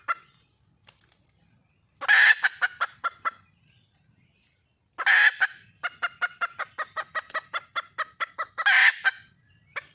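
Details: Wild red junglefowl hen seeking a male: three rough, broad squawks, each followed by a train of sharp clucks. The longest cluck series runs between the second and third squawk.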